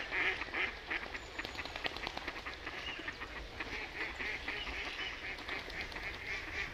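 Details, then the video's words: Migrating ducks that have dropped in from high up, sitting and feeding in a wetland along the Mississippi River basin to fatten before heading back north; dense overlapping chatter of many calls with repeated short nasal notes. "You can hear the ducks bombing from way up high coming down. You hear all the chatter back and forth between them."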